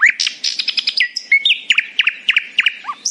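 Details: Nightingale in morning song, a happy singer delivering fast rhythmic series of sharp chirps and a sustained whistle, notes repeated several times a second.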